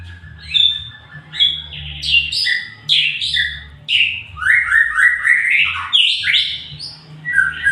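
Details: White-rumped shama (murai batu) in full song: a rich, varied run of loud whistled and slurred phrases, many notes leaping up or sweeping down, delivered in quick bursts about every second, over a faint low hum.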